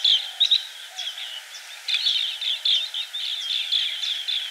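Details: Green bee-eater calling: a dense run of short, bright chirps and rolling trilled notes, clustered in quick bursts and nearly continuous for several seconds, with no low sounds beneath.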